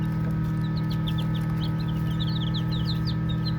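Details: Baby chicks at play give clear, sliding high peeps, sparse at first, then building into a denser rapid run of overlapping notes, over a low constant hum.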